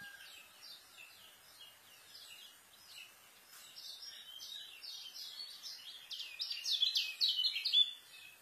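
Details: Fast, dense white-eye song meant for tutoring young birds: soft, scattered chirping phrases at first, then rising to loud, rapid twittering bursts near the end before it fades out.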